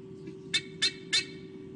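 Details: Mother white-bellied sea eagle, nest camera at Sydney Olympic Park, Australia, 2015, in fierce protection mode after a suspected owl disturbs her chicks; three harsh, nasal barks evenly spaced about a third of a second apart, constant low hum beneath.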